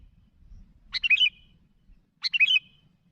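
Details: Sooty-headed bulbul calling out to others with two quick, bubbly chirped phrases, each a rapid cluster of liquid notes about a second apart, over a quiet low hum.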